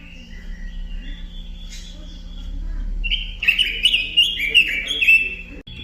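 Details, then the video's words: After a few faint soft notes, a robin bursts into a loud, quick run of sweet descending whistles, and the song carries on to the end, with a low hum in the background. "kicau burung robin"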